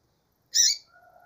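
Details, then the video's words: Single loud, rasping chip from a calling female double-collared seedeater, brief and high-pitched, followed by faint, steady low whistled tones in the background. "femia de coleiro chamando"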